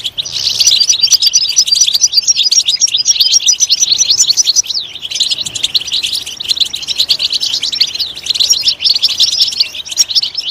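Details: European goldfinch pouring out a long, loud song for stimulating other goldfinches: quick jingling chirps and trills run on without pause, with slight dips in volume.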